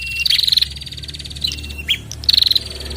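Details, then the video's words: Bar-winged prinia, a male and female answering each other: two rapid rattling trills of about eight pulses frame a short whistled note and a sharp chip, over a soft low drone. "Prenjak Jantan dan Betina Sahut-sahutan Gacor"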